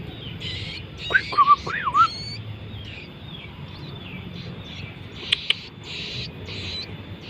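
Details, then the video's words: Bar-winged prinia chicks: a quick run of thin whistled notes that rise and dip, bunched within about one second, followed by soft high chirps and two sharp clicks over steady low hum. "anakan burung ciblek gunung"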